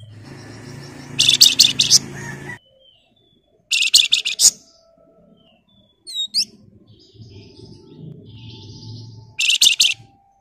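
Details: Energetic Flamboyan bird singing in the rapid 'ngebren' and shrill 'nyerecet' style: three dense, buzzy high chattering bursts separated by pauses, plus a pair of thin whistled upslurs, over a low rumbling hum.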